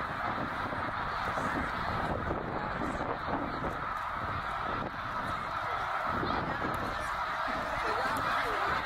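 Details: Tens of thousands of snow geese on spring migration north at Middle Creek, Pennsylvania, 2023, massing in a swirling flock; a dense, continuous roar of overlapping nasal honks with no single call standing out.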